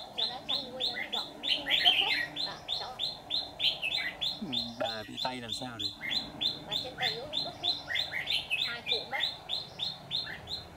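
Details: Decoy red-whiskered bulbul of the white-cheeked type at a trapping site, repeating clipped arched notes about three per second. A man's voice cuts in briefly midway, and chatter runs underneath.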